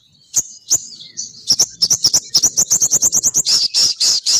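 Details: Female sogon bird lure sound drawing males down: a few spaced high chirps that speed into a rapid, even series of bright notes, ending in longer buzzy chirps.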